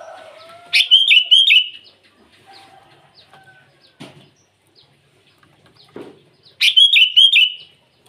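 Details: Twice a sooty-headed bulbul delivers its morning rival-calling song, a rapid bubbly string of four liquid whistled notes, with a thin falling whistle and scattered soft calls between phrases.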